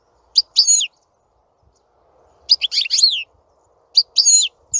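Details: European goldfinch singing: three short bursts of slurred, buzzy high chirps separated by silent gaps of about a second.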